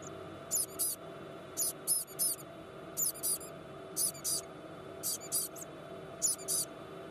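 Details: White-bellied caique hatchling, just out of the egg overnight in a hand-rearing nursery, giving high, sharp peeps in quick pairs and triplets separated by brief pauses, with a constant electrical hum beneath.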